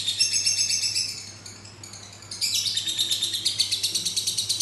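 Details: Long-duration ngekek from a lovebird: rapid, piercing, high chatter that fades and softens briefly near the middle, then returns loud and steady as a fast pulsing trill.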